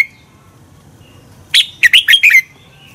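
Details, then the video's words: Red-whiskered bulbul song used to stir birds into competitive singing: after a short opening whistle and silence, one fast phrase of five bright warbling notes, falling at the end. "Luyện chào mào hót sáng Giọng xoắn kép hay KÍCH CHIM CĂNG HÓT ĐẤU, luyện chào mào căng lửa"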